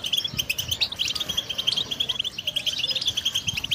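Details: Caged European goldfinch giving a brisk, sparkling twitter of clear high chirps, evenly spaced and very rapid, with a couple of brighter whistled notes, faint low bumps below.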